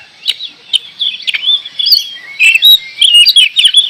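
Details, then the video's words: Kacer (oriental magpie-robin) delivering a brisk run of high, warbled whistles and chirps in short bursts, growing louder and denser in the second half, with thin sharp notes above. "Kacer gacor"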